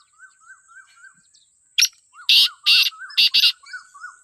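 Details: Black francolin (kala teetar) recorded wild in Pakistan: a click and four harsh, scratchy notes in a quick rhythmic phrase, while another small bird repeats soft, arched chirps throughout the background.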